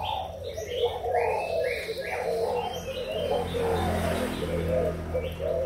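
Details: Captive young spotted doves, Malaysian and Thai strains, filmed 24 June 2021: a string of mellow low coos rolls on, overlapped by short high chirps from other birds and a droning background hum.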